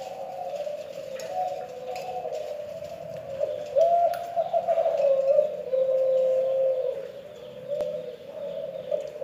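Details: An odd call of a Kelantan spotted dove: sustained low hollow cooing held almost without pause, a wavering warble rising slightly in the middle then settling into a steadier tone.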